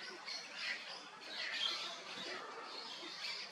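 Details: Sulphur-crested cockatoo giving soft, rasping, noisy squawks that swell and fade in overlapping waves over a few seconds, without clear pauses between them.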